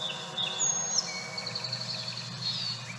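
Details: A Song Sparrow near Boise, Idaho gives two high, clear introductory notes, then a fast, thin series of repeated notes; fainter birds, thought to include a robin and yellow warbler, call behind; finding: Song Sparrow.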